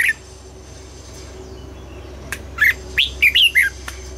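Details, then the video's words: Morning song of a red-whiskered bulbul in training, starting almost silent, then a quick cluster of five or six clear whistled notes near the end over a faint low hum. "Luyện giọng cho chào mào hót sáng, ép chào mào hót âm kép già rừng hay tuyệt!"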